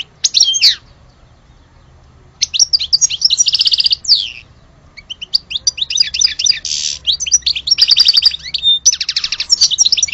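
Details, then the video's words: Algerian European goldfinch in full song: high twittering phrases, dry buzzy stretches and a fast repeated trill strung together almost without pause. "Le vrai chardoneret de Alge"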